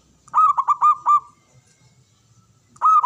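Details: Male perkutut, or zebra dove, gives a clear phrase of four or five rapid, bubbling coos that run into a sustained level note. A fresh phrase begins near the end. The background is quiet.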